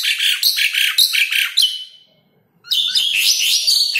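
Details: Asian pied starling (Gracupica contra) singing in a recording used to provoke reluctant caged birds. Quick harsh repeated notes trail off into a brief quiet, followed by a higher run of whistled chattering.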